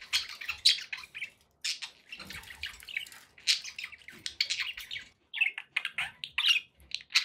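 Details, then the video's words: Several pet budgerigars keep up busy, high-pitched chatter: rapid chirps, squeaky warbles and short squawks tumble over one another, breaking off briefly now and then before starting again. "budgie sounds"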